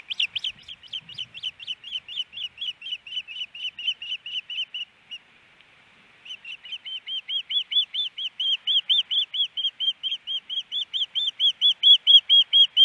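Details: Ospreys at a nest in Hellgate Canyon, Missoula, Montana, April 12, 2019, the male settling the female: a long series of short, piercing, whistled chirps about twice a second, a pause, then the series resumes louder.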